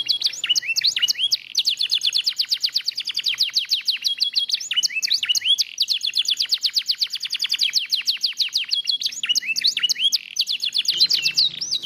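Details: Lemon-yellow canary singing vigorously: long, continuous rolling trills of rapid, repeated high notes, broken by brief twisting phrases, with almost no other sound behind.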